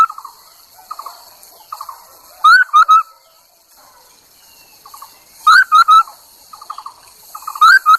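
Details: Decoy Chinese hwamei alternating soft, rapid chattering trills with occasional loud whistled phrases of three notes, the first rising in pitch.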